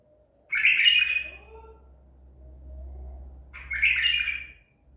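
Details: Captured at Medical City on 14 April 2021, a Baghdadi tur White-eared bulbul sings two loud, jumbled, fluty phrases about three seconds apart, with a low rumbling background between them.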